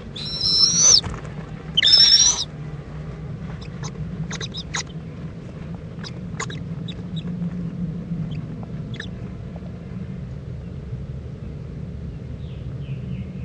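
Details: Mother owl and owlet preening together at a Florida nest in Indiantown, February 2014, late morning: two quick breathy, screechy hisses open the recording, followed by scattered soft clicks and taps against a low hum.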